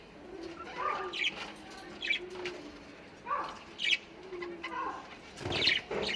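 Australian parrots give scratchy, rasping squawks in short bursts about once a second, with soft cooing and wing flutters underneath.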